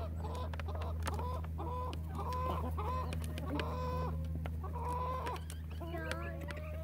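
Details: Chickens in a relaxed flock cluck busily, short nasal notes about four a second, several hens overlapping, with a constant low droning hum beneath.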